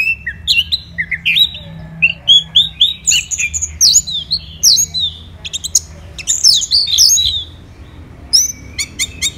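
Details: Caged Orange-headed thrush from Kubutambahan, Bali, in full continuous song: a rich stream of rising and falling whistled phrases, quick upward slurs and sharp high chips, almost unbroken for several seconds before a brief lull and final clicks.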